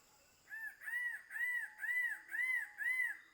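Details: Gobi-gobi, the King bird-of-paradise, calling in the Badi Gaki Birds Sanctuary; a run of six ringing, arched notes delivered about twice per second, evenly spaced, over a constant high-pitched insect drone.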